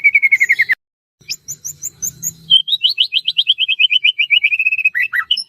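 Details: White-rumped shama (murai batu) in full song, a caged bird used to provoke other shamas into singing: rapid repeated whistled notes in long trilling series, one sliding high series, then descending pure whistles.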